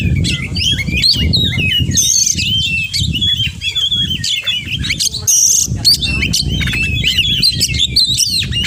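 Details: Oriental magpie-robin singing continuously, its song full of borrowed phrases. Rapid whistled and buzzy notes change pitch constantly, with two short bright high bursts, all over a steady low background hum.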